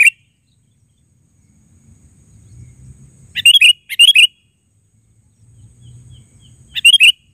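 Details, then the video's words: Sooty-headed bulbul repeating brief bubbly chirped phrases, two close together mid-clip and another near the end, separated by quiet stretches with faint low rumble. "Suara Burung KUTILANG GACOR Panggilan Suara Asli"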